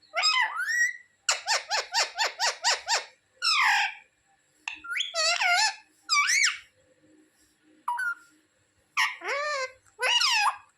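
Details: Pet parrot talking indoors, mimicking words asking its mother for roti; a quick run of about eight clipped squeaky syllables, then longer nasal, wavering speech-like phrases with short pauses between them.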